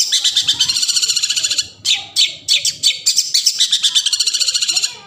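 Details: Forest recording of a long-tailed shrike meant to coax quiet shrikes into singing: fast strings of sharp, high twittering notes and grating squawks that pour out almost continuously, broken by one short gap.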